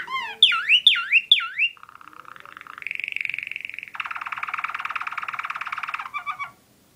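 A Waterslager canary opens with three loud, slurred whistles copying a northern cardinal. It then moves into low rolling trills, a higher sustained roll and a dense bubbling rattle.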